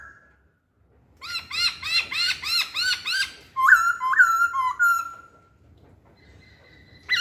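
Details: Masked laughingthrush used as a lure song: a fast run of repeated rising hooked whistles with rich harmonics, then several long level whistled notes and a final upward sweep.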